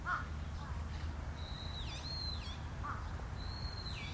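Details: Long-eared owls, parent and young, on Tsushima: thin, squeaky high whistles, each drawn out then bending sharply downward at the end, two calls a couple of seconds apart, plus a few short lower chirps over steady low rumble.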